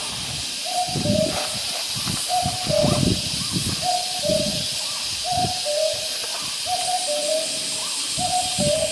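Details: Common Cuckoo calling far off in Vietnam: a soft two-note coo-koo, the second note lower, repeated about every one and a half seconds. Constant hiss and scattered low knocks and rumbles fill the background.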